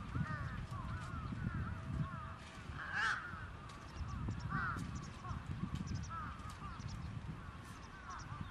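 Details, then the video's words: Crows held in a trap cawing: many quick arched calls overlapping, a harsh louder caw standing out at three seconds, all over a persistent low rumble. "Crows Trapped"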